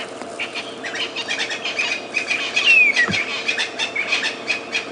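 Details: Young red-billed hornbills, described as very cross, give a busy run of sharp clucking notes several times a second at Djuma Game Reserve, South Africa, on a March 2016 morning after rain; possibly gathered at a termite emergence; thin falling whistle, low hum.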